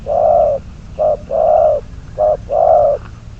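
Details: Spotted dove decoy for trapping, number 22, calling close with rich low coos, three long notes separated by two short ones in an even cadence.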